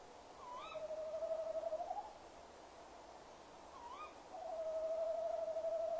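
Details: At 19:56 on 20 January 2016, a male tawny owl at a nest box gives two low hoots, each a brief lifting note then a long steady hooooo, while a female nearby answers.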